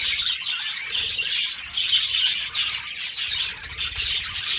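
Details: Several budgerigars during mating, giving a dense, continuous chatter of high chirps, squeaks and warbled notes that overlap with no pause, with faint low rumbling underneath.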